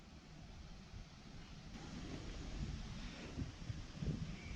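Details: Outdoor wind rumble and rustling in a rural setting with a low, uneven roar and no animal voices.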